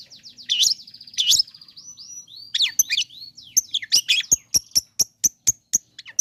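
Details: Long-tailed shrike song used as a lure to provoke sluggish shrikes into singing: varied sharp, frequency-swept chattering notes and a high sustained whistle, ending in a rapid series of about a dozen crisp clicking ticks.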